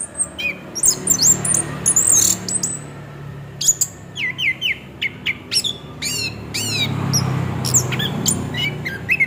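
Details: Orange-headed thrush rolling song ('ngeroll') meant to lure the bird into singing. Fast runs of shrill whistles and downslurred notes come in bursts, separated by brief gaps, with a low hum behind.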